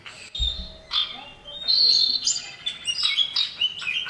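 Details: Male common iora calling to a female: a run of sharp high whistled notes and short chirps, some rising, some dropping, with brief pauses between phrases, plus a low thump near the start.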